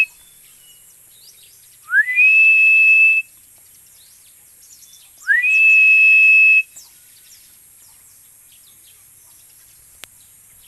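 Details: Philippine eagle giving two loud, piercing whistles about three seconds apart. Each one sweeps sharply upward, then holds a steady high note for over a second, with faint small-bird chirps in the background.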